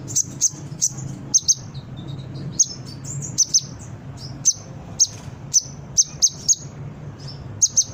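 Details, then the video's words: Brown-throated sunbird song meant to prompt caged birds to answer and sing: thin, piercing high notes spaced roughly every half second, some paired, with a faint low drone beneath. "Suara Konin gacor pancingan burung bahan cepat respon dan bunyi"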